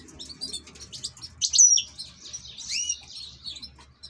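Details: European goldfinch kept as an ornamental bird, singing a rapid high twittering run of buzzy chirps and sharp upward-sliding whistles, loudest midway, with a faint low hum underneath.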